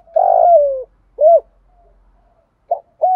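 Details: Spotted dove calling in the thổ and thúc voice styles for training lazy decoy birds: one drawn-out buzzy coo sliding downward, a single arched hoot, then quick notes opening another phrase, over faint low rumble.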